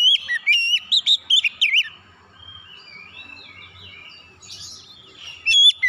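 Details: Oriental magpie-robin lure song meant to coax untrained magpie-robins into singing. A quick run of bright, slurred whistles, rising and falling, ends around two seconds in. A softer warbling phrase follows, then a final burst of loud whistles.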